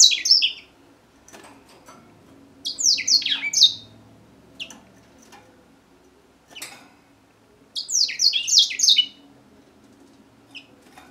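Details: African grey singing finch giving short bursts of bright, rapidly descending whistled notes, three clusters separated by quiet gaps with scattered single clicks and chips, faint low room hum beneath.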